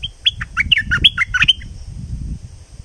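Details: Streak-eared bulbul of southern Thailand in lively song: a rapid run of about a dozen sharp, sweet chirps and downslurred notes packed into one and a half seconds, then quiet over a low rumbling background.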